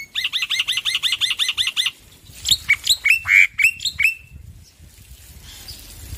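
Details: Male black-winged myna singing loudly as a tutor recording for stressed birds: a fast run of about ten identical chirping notes, a short pause, then a series of sharper whistled notes sliding down in pitch, fading to faint background noise.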